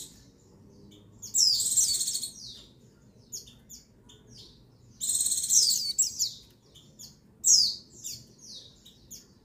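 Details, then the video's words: High-pitched female white-eye (pleci buxtoni) call meant to arouse males and prompt other birds to sing. Three loud, rich twittering bursts of rapid descending chirps arrive several seconds apart, separated by faint scattered notes. "Call Pleci Betina Perangsang Birahi Jantan Agar Pleci Bustomi Gacor Yang Lain Ikut Bunyi"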